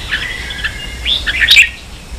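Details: Brief snatch of a red-whiskered bulbul's combative duel song, a kept bird from Vietnam: a few soft chirped notes building to a quick, bright, rising warble.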